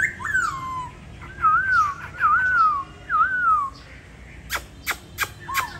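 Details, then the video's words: Caged laughingthrush from Hanoi, Vietnam, said to be a talented bird and in tail moult. It sings a run of four wavy, looping whistles at a steady pitch, followed by several sharp tapping clicks and one last whistle. "Khướu rất tố chất"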